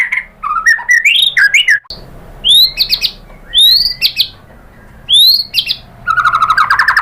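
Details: White-rumped shama song played to provoke other shamas to answer: varied whistles, sharp rising high notes repeated at roughly one-and-a-half-second spacing, ending in a fast buzzy trill.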